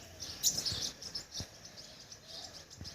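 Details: Crimson sunbird calling with high, thin chirps and sharp tweets in quick irregular bursts, a few brighter notes standing out over a steady hiss of outdoor background noise.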